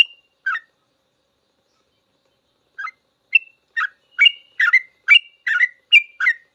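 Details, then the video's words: Sooty-headed bulbul 'ropel' song for teaching cage birds: a few isolated chirps, a two-second silence, then a building run of fast bubbly whistled phrases. "Suara trucukan full ropel panjang cocok buat masteran trucuk belajar bunyi langsung ikut ropel"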